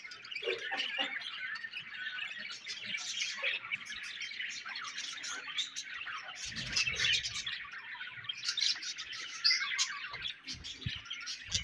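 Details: Budgerigars chirping and warbling continuously, a dense overlapping chatter of high twittering notes with scattered squeaks, several birds calling at once, faint low thumps underneath.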